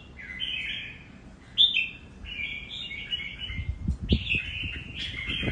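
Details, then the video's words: Red-whiskered bulbul in nước Hậu style song, giving rich whistled warbles in several connected phrases, one sharp high note, with light knocking sounds underneath. "Cùng xem Nết của 1 CB Cọp với nước Hậu chơi cực đẹp mắt"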